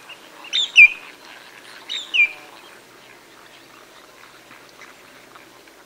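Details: Several marsh sandpipers at close range in the Masai Mara, Kenya, give two bursts of sharp, high, downslurred alarm notes about a second apart, then fall quiet over a soft murmur of dabbling ducks.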